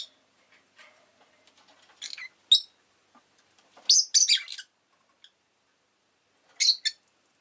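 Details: Rosy-faced lovebird kept as a pet, chirping: short harsh high chirps in scattered bursts, a cluster of rapid notes near the middle and another pair near the end, with quiet gaps between.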